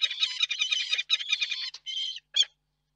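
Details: Courting peregrine falcon pair at the Reda nest site, March 2024: loud, grating, rasping squawks run together almost without pause, then break into a few separate harsh bursts before stopping.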